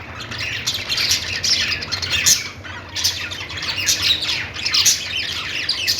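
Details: Budgerigars making a happy sound: dense, continuous warbling chatter of high chirps and squawky notes, with louder bursts roughly every second or two and steady low background hum.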